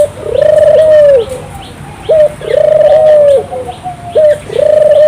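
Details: Turtle dove in full song, played to prompt local doves to join in: long, rolling, even coos, each opened by a short rising note, repeated about every two seconds over a low steady hum.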